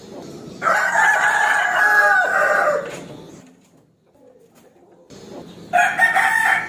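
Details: Crowing rooster calling out a rival to fight. One strong, sustained, raspy crow of over two seconds is followed by a near-silent pause and then the opening of another crow.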